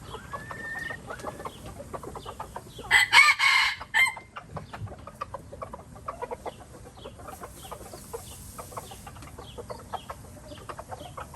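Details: Red junglefowl in Laos: one short, harsh, hoarse crow broken into about three bursts lasting just over a second, set against steady rapid insect ticking and scattered clicks that fill the rest of the recording.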